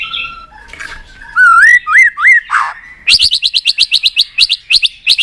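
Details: Fired-up White-rumped shama giving a few soft notes, then looping, wavering whistles and a harsh note, followed by a quick run of about a dozen sharp, clicking, ticking notes.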